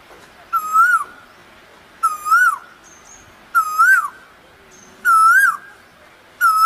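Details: An Asian koel in spring in Dhaka, Bangladesh, gives a clear, two-part rising "ko-el" call, repeated about every one and a half seconds in a steady series against a quiet background.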